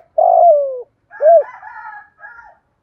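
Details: Spotted dove decoy of 'thổ' voice calling to attract wild doves: one long, rough coo sliding down in pitch, then a single rounded coo blending into higher, wavering overlapping tones.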